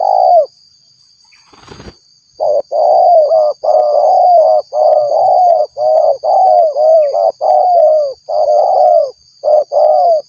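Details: Female spotted dove calling to a male, used as a lure for trapping: rapid series of hoarse, mellow coos, each falling slightly in pitch, about one per second, after a brief clatter near the start.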